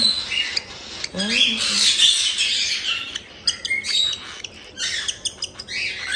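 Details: Captive cockatiel chicks about one month old at a breeder in Tokachi, Hokkaido, giving the harsh, raspy 'jaa jaa' calls of the chick period: rapid hissing bursts repeated several times a second, with a brief human voice early on.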